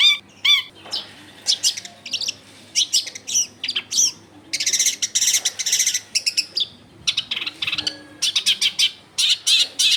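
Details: Energetic long-tailed shrike song used to draw other shrikes into song, recorded in a densely populated neighbourhood: loud rasping bursts, harsh chatter and a few clear whistled notes in uneven phrases.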